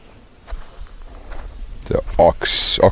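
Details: Several Red-billed Oxpeckers alarm-calling at a guide on foot before taking off, Rietspruit Game Reserve, South African Lowveld, sunset safari, 25 November 2023: harsh hissing rasps in short bursts over steady high insect drone, footsteps and a man's voice.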